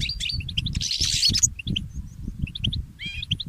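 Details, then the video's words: Early-morning song of a goldfinch hybrid mule: clipped twittering notes and a dense buzzy burst, brief pauses, then a wavering warbled phrase near the end. Steady low rumbling and knocks in the background. "The inspiring Motif of the Mule Goldfinch"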